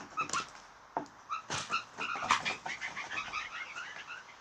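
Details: Blue jays (Cyanocitta cristata) make funny sounds: a jumble of short clipped notes, soft nasal tones mixed with sharp clicks and rattly bursts, tumbling quickly over a few seconds, with some wing flutters.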